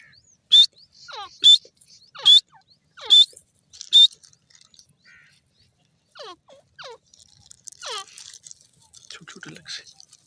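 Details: Grey francolin, known locally as dakhni or gora teetar, giving five loud piercing notes at a steady pace, each followed by a short falling whistle, then a quieter stretch of descending whistles and scratchy chatter.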